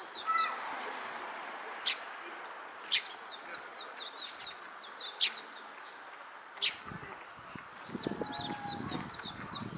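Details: Eurasian tree sparrows calling in Hakodate Park, Japan, among cherry trees in full bloom on 28 April 2022; sharp, loud single chirps sound every one to two seconds over constant thin, high twittering, with faint low rumble beneath.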